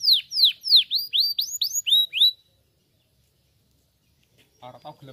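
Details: Canary song used as practice for chirping: seven or eight clear, downward-sweeping whistled notes in quick succession over about two seconds, then near silence until a short low burst of noise at the end.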